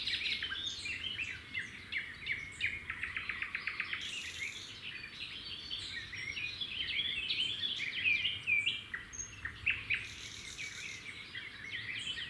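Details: At a red-backed shrike nest near a road, the male brings a grasshopper and the female feeds the chicks. Busy, rapid chatter of clicking chirps runs almost continuously, with a few thin whistled slurs, over steady low noise.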